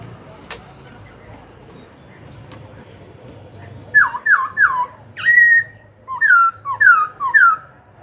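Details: After a few seconds of quiet room noise, a black-throated laughingthrush, singing to provoke rivals and train young birds, launches into loud, clear phrases: three descending slurs, a held whistle, then a rhythmic run of falling notes.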